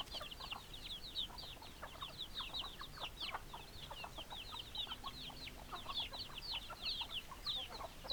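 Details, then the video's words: Chickens, hens and roosters together, giving a dense, continuous chorus of short, high, overlapping clucks and chirps with scattered lower notes beneath, many birds calling at once with no pauses. "Chicken Sounds Noises Hens Clucking Roosters Crowing"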